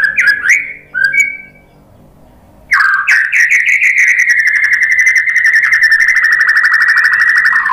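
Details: White-rumped shama singing as bait to make other shamas respond: a few sharp whistled slurs, a pause, then a long, loud, fast pulsed trill held near one pitch for several seconds.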